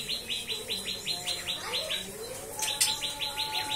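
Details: Cikris song of a white-rumped shama from a breeder: steady string of short, ringing, high chip notes with a brief sharp accent near the end, over soft lower whistles.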